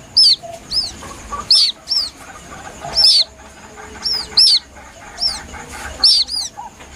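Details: A White-breasted waterhen chick gives a plaintive call used as a hunting lure: thin, high, down-slurred peeps in short pairs about every half second to second, with a faint background murmur.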